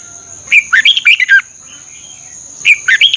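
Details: Thai red-whiskered bulbul used to train caged birds: a quick run of five or six bright whistled notes, a pause, then the phrase starting again, with a constant high tone beneath.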